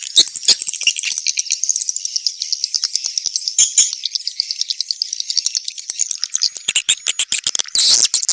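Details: Swiftlet mating call: a long run of fast, evenly spaced high ticking chirps, almost insect-like, finishing in louder harsh twitters.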